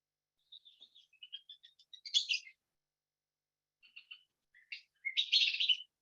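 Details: Western Kingbird dawn song, given early before light: quick, sharp high chips build into harsh, squeaky, upset-sounding bursts, a pause, then the run repeats, ending in a strident sputter.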